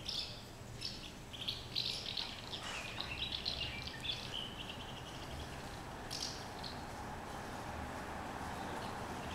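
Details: House martins (Delichon urbicum), the first arrivals at nests in Valls on 26 February 2017, give dry, rapid chirruping twitters, bunched in the first half with a brief burst later, over a steady background hum.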